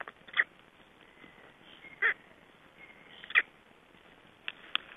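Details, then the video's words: Nearly hatched black stork chicks utter clipped high squeaks, roughly one every second or so, with a thin drawn-out whistle between them and a few faint clicks. "Voices of Black Stork chicks shortly before hatching date"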